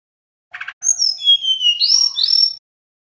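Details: Nyeklek song of a male little pied flycatcher, used as a lure recording: a soft rattle precedes a string of high, pure whistles that slide down, then swing up in two bright rising notes.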